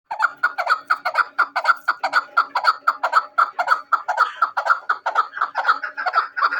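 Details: Hunting chukar partridge giving harsh, clucking chuk notes repeated steadily about twice a second. The notes are even and rhythmic, with no other clear sounds.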